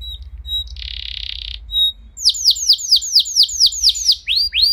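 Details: Canary song to get other canaries singing: faint soft notes and a short buzzy tone, then a clear series of loud descending whistled sweeps repeated about twice a second, with low background hum.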